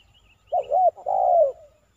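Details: Spotted dove (tekukur) cooing during a trapping session with a decoy bird in Silaban village, Lintong ni Huta, Indonesia, targeting a 'kuk 3' male; a short low coo, then a longer, falling mellow coo. Faint high chirps from other birds.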